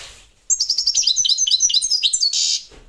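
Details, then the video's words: European goldfinch of the parva subspecies singing: a fast, high, tinkling twitter of short bright notes running for about two seconds, ending in a brief buzzy rasp. "Chardonneret parva"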